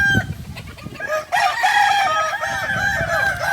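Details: Kokok Balenggek roosters, a native chicken of Solok, West Sumatra, Indonesia, at a group training gathering. Low noise gives way after a second to long, layered crows broken into many wavering, stepped syllables, with several birds overlapping.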